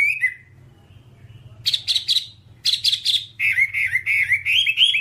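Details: Whambie singing on a long tutor recording used to train other birds: a brief whistle, a short pause, then harsh buzzy chattering bursts, followed by a rapid run of looping whistled notes, over a soft low hum.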